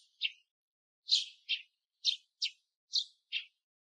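A male Eurasian tree sparrow gives a loose series of short, bright chirps, about two a second with uneven gaps, against a quiet background.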